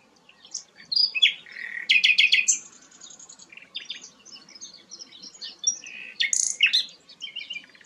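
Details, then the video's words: Flycatcher known as sikatan londo delivering a melodious, varied song. Sharp squeaks and whistled slurs alternate with dense buzzy bursts; phrases come in quick irregular succession with short quieter stretches between. "burung sikatan londo gacor"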